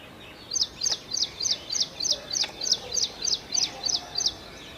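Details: Song of an ashy prinia: some twelve loud, high, sharply accented notes delivered at an even rapid pace, each like a quick bright 'chwit', over a quiet hissing background.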